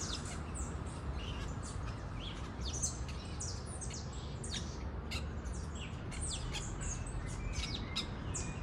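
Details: Wild parakeets chatter continuously, with many rapid high squeaks and falling squawks from several birds at once, set against a heavy low background roar.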